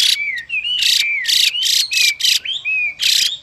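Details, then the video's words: A captive Chinese hwamei pair: loud, grating, broadband rasps from the female to rouse the male, alternating with smooth whistled notes that dip and rise. "Họa Mi Mái Kích Trống Nhanh Căng Lửa, Họa Mi Mái Xùy Kèm Họa Mi Trống Hót Kích"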